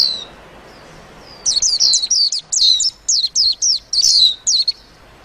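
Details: Lively white-eye warble starting after a faint note: about three seconds of fast, high-pitched, falling chirps strung closely together, then quiet.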